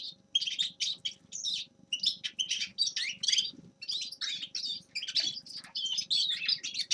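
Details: Singing Grey-crowned goldfinch: short bursts of high, scratchy twittering notes come in quick succession over a steady low electrical hum.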